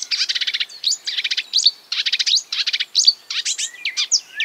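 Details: Marsh warbler imitating other birds, repeating short, rapid chattering bursts of ticks, each followed by a single upslurred note, ending in scattered whistled slurs.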